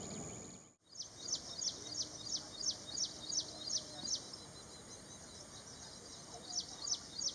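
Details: Ashy prinia calling: a rapid series of sharp, high repeated notes, about three per second, in two bursts separated by a pause, with a brief low noise at the start.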